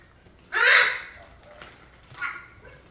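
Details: A 3-year-old male red-sided eclectus parrot, babbling gibberish at bedtime and recorded secretly, gives one loud, harsh, grating squawk of about half a second, then a shorter, softer rasping note, in an otherwise quiet room.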